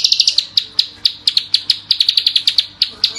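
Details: Klik klik bird, recorded for use as a tutor call, giving loud, sharp, high clicking notes in quick bursts of two to four, then singly, about five or six per second, over a faint low hum.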